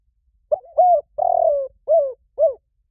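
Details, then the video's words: Lure call of a spotted dove: one phrase of five mellow coos, short first note, a longer, gently descending middle coo, two clipped closing notes, with nothing else audible. "Tiếng chim cu gáy mồi chuẩn cực hay"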